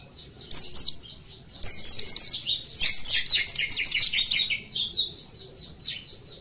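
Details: Oriental white-eye singing 'tembakan' style, recorded as a masteran for training other birds: very high thin notes, then a fast run of rapidly repeated down-slurred whistles, about a dozen in quick succession, fading into softer twitters.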